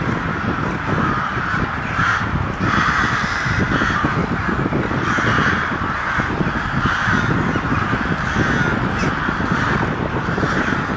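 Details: Many crows making very loud noise, overlapping raucous caws pulsing in waves over a low rumbling background.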